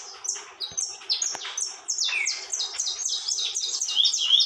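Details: Saffron finch delivering tormento song: strings of bright, high descending chips that grow louder and denser toward the end, punctuated by a couple of brief clicks.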